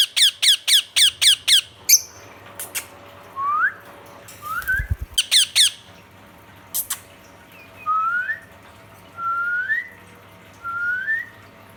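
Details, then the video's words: Pet ring-necked parakeet calling to another parrot: a fast run of about eight harsh, buzzy squawks, then a second short burst, followed by several brief rising whistled notes spaced about a second apart in a quiet room. "Ringneck parrot chirping sound"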